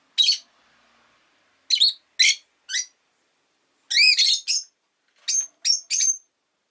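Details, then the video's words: Rosy-faced lovebird calling with clipped, high squeaky chirps, some rising and falling, grouped in short irregular clusters with brief silences between. "Lovebird Chirping Sounds"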